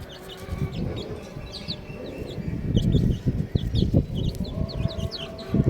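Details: Young chicks giving a steady stream of thin, high, falling peeps from several birds at once, set against heavy low-pitched rumbling and handling noise.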